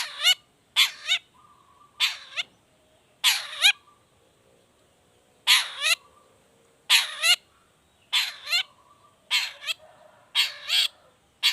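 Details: Long-tailed shrike lure song in the 'toet toet' variation style, meant to coax other shrikes to sing: harsh notes, often in pairs, with swooping inflections, delivered in steady clusters.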